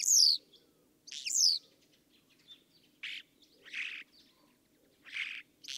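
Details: Song of a Common Starling, opening with two loud falling whistles, followed by a series of short rasping, buzzy bursts spaced roughly a second apart.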